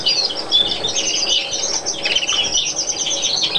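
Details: European greenfinch of a colour mutation, Chios, Greece, 2012, giving a rapid, continuous twitter of high chirps and brief trills that run without a break throughout.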